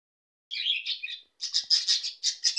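Budgerigar warbling in quick, scratchy chirps and squeaky chattering notes, high-pitched and run together in a busy stream.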